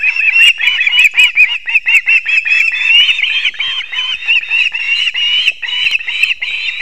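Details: Osprey at its Latvian nest in Kurzeme, 6:40 am, 3 September 2024, during a delivery of two fish to the young; a long, unbroken stream of excited high whistled chirps with a few clicks.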